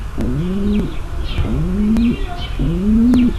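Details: Three slow, low coos from a female pigeon calling to ready the male for mating. Each rises gently and ends abruptly, while quiet chirps and clicks sound behind.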